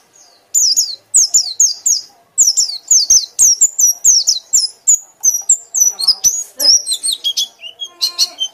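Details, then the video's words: White-eye ngekek song, loud and continuous: after a short quiet start, a fast train of high falling whistles and chirps runs for nearly eight seconds, later notes more varied and twittering. "pleci anda akan ngekek ngekek keras"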